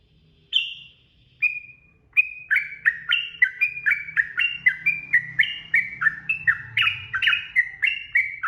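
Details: Sooty-headed bulbul singing ropel style for masteran use: a few opening whistles, then a steady run of clear slurred whistled notes, each dipping in pitch, repeated about three times a second without pause.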